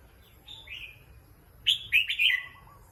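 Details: A caged Red-whiskered bulbul, a competition songbird, resting and giving a soft whistle, then a loud, rich, bubbly phrase of three quick notes ending in a lower trill.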